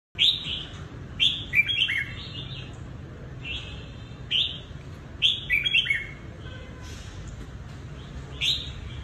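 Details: Carefully selected trapping decoy Red-whiskered bulbul from Cao Bằng, Vietnam, a bird kept three seasons: short warbled chirping phrases, high and bright, repeated at irregular intervals with pauses, over a low steady background hum.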